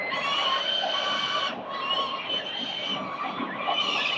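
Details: Morning feeding of four peregrine falcon chicks at a Victoria building nest, 4 November 2021: continuous rasping, wailing screeches with a brief pause midway, backed by a persistent low-frequency hum.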